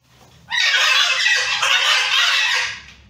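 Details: Wild macaws fighting give one harsh, raspy screech lasting over two seconds, loud and broad, rising sharply at the start and fading at the end.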